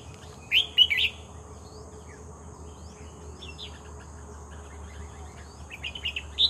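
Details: Red-whiskered bulbul singing actively after being caught in trapping. A tight burst of three sharp whistled notes opens, followed by a long quiet gap with faint chips. A short bubbly phrase closes the sequence against a low background hum.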